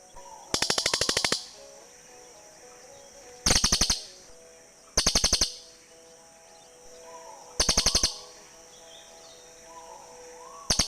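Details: Cililin birds calling back and forth, a sound for luring forest birds: five bursts of rapid rattling clicks over eleven seconds, irregularly spaced, each lasting under a second.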